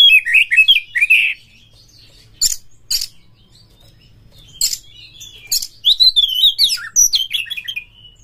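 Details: Kacer (Oriental magpie-robin) singing in the persistent fighting style: loud warbled phrases open the clip, harsh scratchy bursts follow, then a rapid, tumbling sequence of varied whistles with faint background hum.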